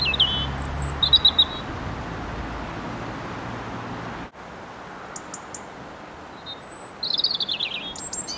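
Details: European robin seen through branches, singing two short bursts of high, jangling, fast-changing notes separated by several seconds of quiet, with low rumbling background noise early on.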